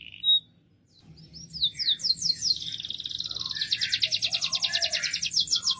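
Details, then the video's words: After a short whistled note and a pause, a canary sings loudly with downslurred notes flowing into a fast, dense high trill. "طائر الكناري يغرد بقوة.O canário está cantando alto. El canario gorjea fuerte."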